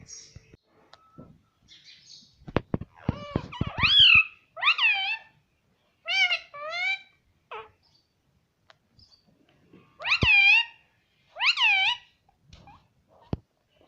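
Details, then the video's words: Indoor pet Indian ringneck parakeet speaking its words: a few clicks and taps open, then separate loud, nasal, arched syllables in pairs with quiet gaps of several seconds between them. "Mitthu Mitthu Bolne Wala Batuni Tota - Talking Parrot"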